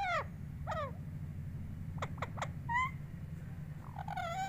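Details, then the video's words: Talking pet parrot makes scattered calls: falling squeaks at the start, a cluster of short sharp chirps in the middle, and a rising-falling note at the end. Low hum throughout. "तोता कैसे बोलता है।"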